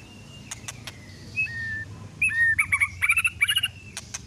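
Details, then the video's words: White-rumped shama song played as a lure to provoke singing: a thin long whistle, then a quick burst of high chattering, trilled notes with sharp clicks, over a faint low hum. "PANCINGAN MURAI BATU TERDASYAT~LANGSUNG EMOSI DENGAR MP3 INI"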